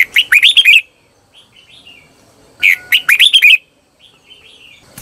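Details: Decoy red-whiskered bulbul singing to lure wild birds, giving short rapid phrases of slurred whistled notes, rising then falling, repeated twice with faint softer twitters between them.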